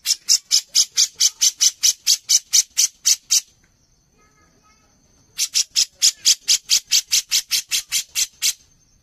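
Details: Brown-cheeked bulbul in energetic voice for contest training: two long runs of rapid, evenly spaced rasping notes, about four per second, separated by a two-second pause with faint low background murmurs.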